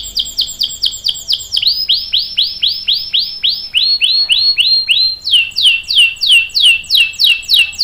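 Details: Canary song in long rolling tours, used to train young canaries: clear down-slurred whistled notes repeated about four per second, each tour stepping to a new pitch, lower then higher, loud and regular throughout.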